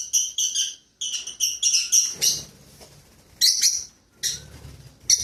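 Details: Lovebirds kept as pets starting their day: piercing, high chirps delivered in quick runs of several notes, with short gaps, a brief soft rustle between runs and a few louder squeaks later.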